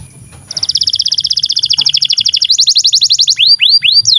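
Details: Canary song for tutoring young canaries to sing: after a quiet start, a long dense trill of rapid pulsed notes that shifts into a higher, brighter trill, then a few looping upswept whistles.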